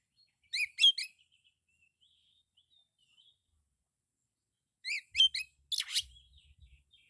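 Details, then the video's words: Kacer, the Oriental magpie-robin, singing its loud 'isian' style: two short bursts of three sharp chipping notes each, faint thin whistles between, then a buzzy rasping note closing the phrase. "Suara burung kacer full isian suara kencang"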